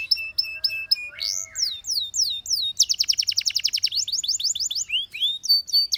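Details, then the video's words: A canary sings varied tours: stuttered high notes, a rising sweep, falling whistles, then a very fast rolling trill of many short notes and a final sweeping whistle. "Canary Singing Bird Sounds"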